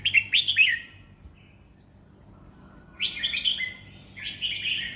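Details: Red-whiskered bulbul, a four-round competition songbird in a cage, gives a quick chattering whistled phrase, falls silent for about two seconds, then sings two more warbled, swooping phrases.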